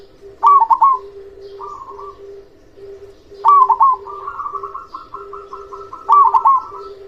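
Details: Local zebra dove with a big voice, played to stimulate silent doves; three bursts of quick bubbling coos, then softer rolling phrases, one long evenly pulsed trill, and a constant low cooing chorus beneath.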